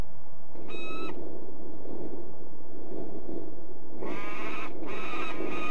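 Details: Peregrine falcon in De Mortel, Netherlands, giving two bursts of harsh, harmonic-rich calls, one brief and one longer near the end, over a constant low rumble of background noise.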